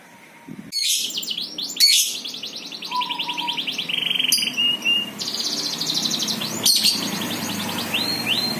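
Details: Bird song: rapid high trills with a steady buzzy note and a short low whistle, interrupted by a few sharp clicks.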